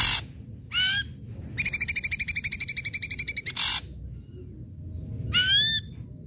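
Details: Loud ashy drongo song for luring silent birds: a rising whistle, then a fast even chatter of around twenty ringing notes, a harsh burst, and another upward-slurred whistle.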